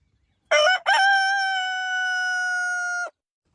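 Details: Single rooster crow, a brief choppy start followed by a long level sustained note lasting around two seconds before cutting off sharply, with quiet around it.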